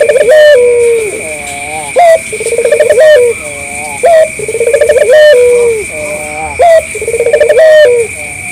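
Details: Steady cycles of cooing from a local collared dove used as a lure for other doves: short high note, pulsing rolled coo rising then drawn out and falling, roughly every two seconds, with a constant electronic whine.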